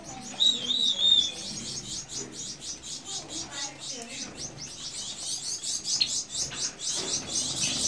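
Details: A bathing Gouldian finch gives thin, high chirps in quick, uneven succession, about four a second, over soft splashing and faint background voices.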